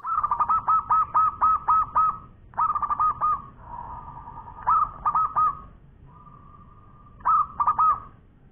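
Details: Local zebra dove in active, long-voiced song: bursts of fast, bubbling coo notes in rattling groups, with steady drawn-out hums between phrases and a clean background.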